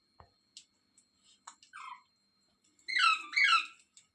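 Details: A scattering of soft clicks and taps, then a short descending squawk, and finally two loud, raspy rose-ringed parakeet screeches close together near the end, recorded indoors.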